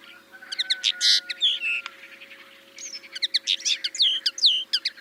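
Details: Crested Lark at Manych on 21 April 2024, softly singing an extended repertoire that mimics a Common Linnet: a busy, varied run of clicks, whistled slurs and chattery trills in two bursts, with a faint steady hum behind.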